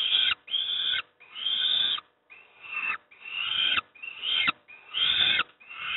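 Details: During a breakfast feed at Moszna, Pruszków, Poland, young peregrine falcons repeat short, coarse, scratchy screeches at a steady pulse of about one every second and a half.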